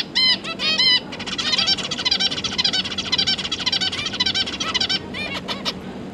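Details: Juvenile zebra finches with their feeding parents, 31 October 2022; a few strong nasal beeps open into four seconds of dense, buzzy, rapid chattering, ending in scattered sharp ticks.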